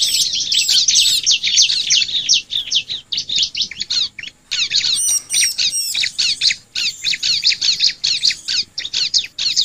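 Bar-winged Prinia song: a rapid, unbroken stream of sharp, high chirps and upslurred notes, dense and lively throughout, with no other sounds.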